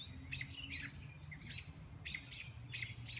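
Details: Red-shouldered hawk calling: a series of short, high, sharp cries repeated about every two-thirds of a second over a steady low rumble of background noise.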